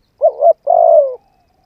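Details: Spotted dove cooing as a decoy bird to stimulate a trainee bird: two short mellow notes followed by one long, slightly falling, gently rolled coo, low-pitched, clean and without background noise.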